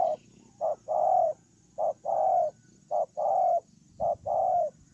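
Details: Spotted dove used as a ground decoy, recorded 8 October 2018, with a run of hollow two-note coos, the second note longer and slightly falling, repeated roughly every 1.2 seconds against a quiet hiss.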